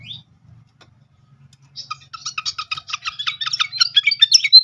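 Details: Srikatan flycatcher song played as a lure to trigger singing: near silence first, then a quick rhythmic series of chips building into rising, louder twittering slurs.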